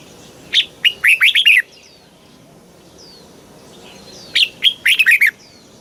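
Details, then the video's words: Red-whiskered bulbul song in the Thai southern master style, used to excite birds and teach young birds: two lively warbled phrases of about six whistled notes each, about four seconds apart, with soft chirps between them. "เสียงนกกรงหัวจุก สำหรับต่อ หรือ เปิดให้นกคึก"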